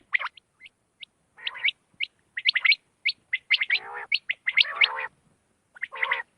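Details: Quail night calls, used for hunting: quick, high chirping notes at an uneven pace, mixed with harsher rasping bursts, roughly one call a second.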